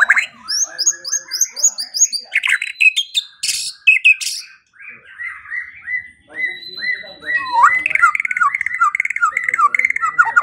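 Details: A white-rumped shama sings as training material for songbirds, morning and evening. It gives a fast series of high repeated notes, harsh bursts, a short pause, then a long run of rapid, bouncing, slurred phrases.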